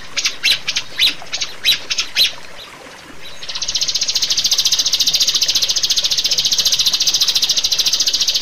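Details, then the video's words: Rio-rio bird, used as a master and lure recording to train caged birds: a few separate sharp high notes, a short pause, then a continuous rapid buzzy high trill. "pancingan dan masteran suara burung Rio-Rio"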